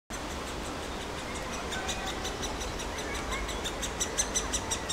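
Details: Impatient, very hungry woodpecker nestling, recorded 24 May 2021, gives quick, raspy, high begging notes several times a second, growing louder and more insistent, over a steady background hiss.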